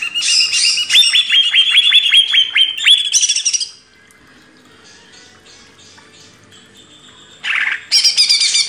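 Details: Training song of a greater green leafbird: a rapid string of about a dozen sharp downslurred whistles over buzzy chatter, a pause, then harsh bursts.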